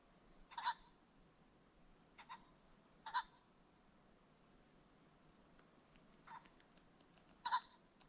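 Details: Several short, hoarse double-note calls from a ring-necked pheasant, spaced one to three seconds apart, recorded along a creek bottom as the sun sets, with steady background hiss.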